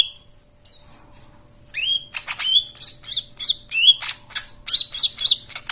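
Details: Therapy song of a white-eye to get quiet birds singing: after near silence, a lively run of high chirps and upslurred whistles repeated in quick, evenly spaced bursts.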